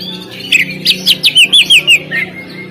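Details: Oriental magpie-robin on a contest stand delivers a quick string of about seven loud, sharp whistled notes, each sliding downward, with a faint low hum beneath.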